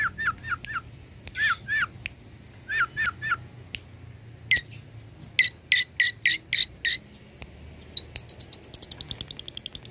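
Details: Long-tailed shrike singing energetically, a mimic that copies many other birds. Groups of three or four downslurred whistled notes come first, then a run of sharp repeated notes, and it ends in a fast high rattling trill.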